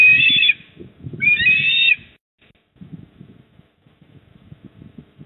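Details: Eastern osprey at the nest in Port Lincoln, South Australia, 28 October 2024 at 19:26. Two loud, harsh whistled calls in close succession, then only faint low rumbling.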